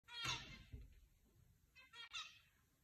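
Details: Zebra finches, a flock in an aviary, give two nasal, trumpet-like calls about one and a half seconds apart, with a soft thump and faint indoor background between them.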